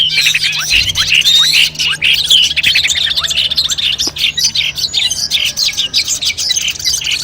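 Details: Long-tailed shrike song used as pre-competition training audio: a varied run of sharp whistled slurs and rapid chatter, with short pulsed bursts toward the end.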